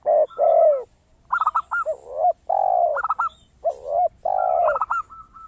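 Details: Zebra dove in lively, crystal-toned song, used as a lure to prompt other doves to sing: low drawn-out coos alternating with quick stuttered bursts of higher clipped notes, repeated in four phrases over several seconds.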